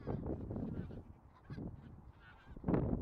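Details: Short spell of bean goose flock calling: clusters of low honks separated by brief quieter gaps, ending in a loud burst.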